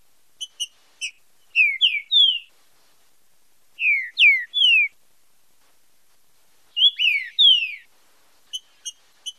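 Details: Green-winged saltator in the 'fibra com marcheado' song style, meant for training and stimulating song. A few sharp ticks lead into repeated phrases of three clear, falling whistles separated by short silences, then more ticks. Nothing else audible.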